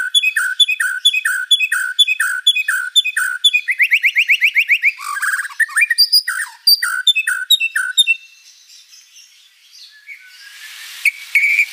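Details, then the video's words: White-rumped shama, described as a vigorous singer with a rich repertoire, delivering rapid repeated chirped notes about four per second, a fast buzzy trill, then fading into quieter scratchy sounds and a brief hiss. "MURAI BATU GACOR ISIAN BANYAK"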